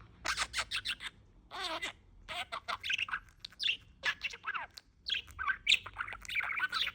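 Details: Talking male budgerigar kept in Bahçelievler, Istanbul, chattering in rapid word-like syllables mixed with warbled chirps and short squawks, nearly without a break.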